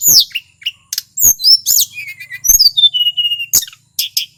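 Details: Local wild male shortwing (tledekan gunung) of Mount Merapi singing, recording meant to stir other birds; loud falling whistles, quick clicks and a smooth descending series of thin notes, ending with sharp chips.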